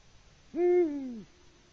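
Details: In Latvia on 6 March 2019, a male Eurasian eagle-owl hoots for a mate that never answers, captured on a live nest camera. A single resonant hoot lasting under a second: rising onset, even middle, gradual downward slide.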